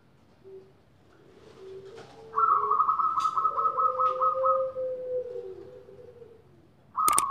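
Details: Zebra doves from a large captive-bred collection with many birds calling: a fast, even staccato series of a dozen clipped cooing notes, with a lower, longer drawn-out coo underneath and a few sharp clicks.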